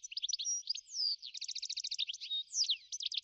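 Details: Goldfinch filmed in the New Forest, singing a fast, high, liquid twitter with rapid trills, buzzy slurred notes and short clear whistles, running continuously.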